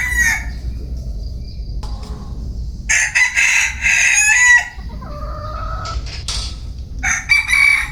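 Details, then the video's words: Bantam chickens crowing with overlapping loud, rasping crows and shorter clucking and squawking notes in quick succession, suggesting more than one bird calling. "Tiếng gà tre gáy"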